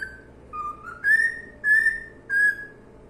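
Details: A low whistle rises into three loud, evenly spaced, sustained whistled notes from a singing cockatiel, each roughly a second apart, over a faint hum.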